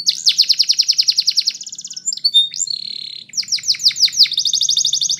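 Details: Belgian canary singing a long pulsed trill with over a dozen even beats, a brief high buzz, a sustained level whistled tone, then steep down-slurred notes and a final rapid trill.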